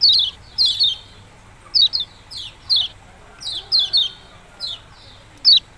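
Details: Yellow-bellied prinia repeating crisp, high, descending chip notes at irregular intervals, some doubled, roughly twelve notes.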